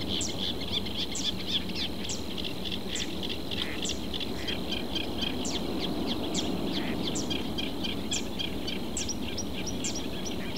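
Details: Reed warbler in a reed bed, southern Portugal, delivering a long run of fast, jerky, grating notes mixed with sharper high ticks, steady and unbroken, against a continuous high drone and low background rumble.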